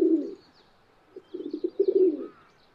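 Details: A rock pigeon, one of a couple that visit a city balcony birdbath, gives low, throaty cooing: one soft coo, a pause, then a rolling burst of pulsed coos, with faint high chirps of small birds behind.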